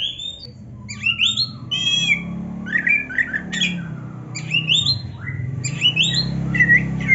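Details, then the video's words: Oriental magpie-robin in full, lively song, used as a training recording to excite other magpie-robins into singing: varied whistled and squawky phrases with sliding, scratchy notes in quick bursts over a steady low hum. "MASTERAN KACER GACOR ISIAN MEWAH ‼️ - AMPUH BIKIN KACER LAIN CEPAT PANAS"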